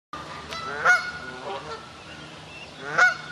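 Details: Canada goose at Wildpark Ludwigshafen am Rhein, having found its lost goslings, gives two loud, nasal honks about two seconds apart with softer calls between them.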